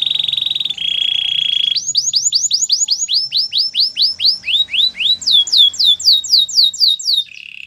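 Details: Canary training song: a steady buzzy high tone drops to a lower buzz, then a run of rising-and-falling slurred notes at about four per second, ending on a short buzzy roll.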